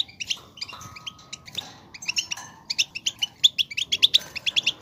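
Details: Goldfinch song for stimulating another goldfinch to sing: scattered chirps and a level whistled tone at first, building into a quick, bright run of rhythmic twittering notes toward the end.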